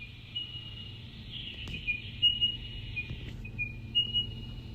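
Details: Spotted pardalote, also called diamond bird, a tiny eucalypt-canopy feeder often heard around Canberra, giving its ringing bell-type call, played as a mystery bird call on radio; thin, high, steady piping notes with small slurred steps, over a low hum.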